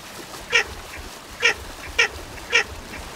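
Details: Four brief, rasping, quack-like notes from a Baer's pochard, the first alone and the last three closer together, against faint continuous background noise.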